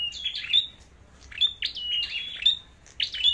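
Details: Red-headed flowerpecker in a singing contest, delivering clusters of piercing chips and short sliding whistles with brief gaps, loud and near, little other sound.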